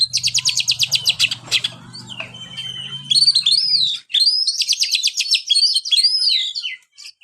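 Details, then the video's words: Oriental magpie-robin singing, used to spur a kept bird that sings little: fast repeated ticking trills at the start, then loud looping whistles and quick varied phrases, with a low hum beneath the first half. "buat burung Kacer anda yang malas bunyi"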